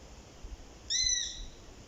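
A Eurasian sparrowhawk gives one thin, high, drawn-out whistled note that holds steady, then dips slightly at the end, over faint background hiss.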